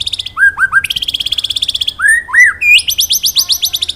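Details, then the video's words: White-rumped shama in forest-calling style, recorded to train other songbirds: short upslurred whistles between long rapid trills of sharp high notes repeated many times a second, with a clean quiet background. "Masteran Burung Murai Batu Ngalas Nembak Wit Wit Cerrrr,Suara Murai Gacor"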